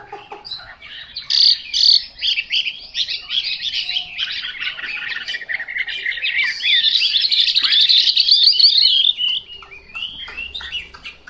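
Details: Chinese hwamei, described in Vietnamese as "họa mi mộc", pours out a long dense song of rapid mixed whistles, chattering trills and swooping slurs. It peaks in a loud continuous stretch, then fades to scattered soft notes.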